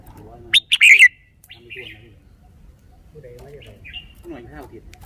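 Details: Caged red-whiskered bulbul singing: two sharp opening notes run into a fast, bubbling whistled phrase, then a few scattered softer chirps. Low-pitched calls from other birds sound faintly in the background.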